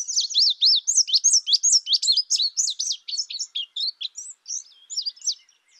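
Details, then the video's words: Loud, clear indigo bunting chirps, sharply rising and falling notes delivered roughly four per second, gradually softening and thinning toward the end. "Indigo bunting sound | call"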